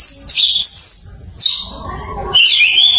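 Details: A kept Orange-headed thrush, learning to sing its full song, gives bright, high, varied phrases of quick whistles and trills, with short breaks between bursts and a faint low hum behind.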